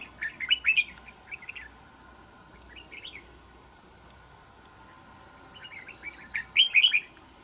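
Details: Trap-cage red-whiskered bulbul with an island-forest singing style: loud, rapid warbled bursts open and close the passage, with a shorter phrase in between and a continuous shrill insect hum behind.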